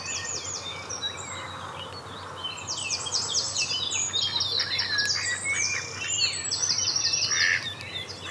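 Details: Mallard (Anas platyrhynchos) ducklings at Saarn-Mendener Ruhraue, Mülheim an der Ruhr, on 9 June 2016 at 09:00, give high, thin peeps in quick overlapping runs of short notes, with a steady low background hum.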